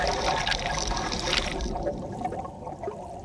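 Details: A loud gush of flushing water fades to a softer trickle, with no animal calls present.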